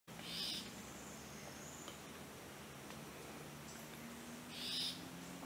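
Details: A Chestnut-backed Antbird (Myrmeciza exsul) in Carara National Park, Costa Rica, gives two short, high, slightly harsh call notes about four seconds apart, over a steady low hum and faint background noise.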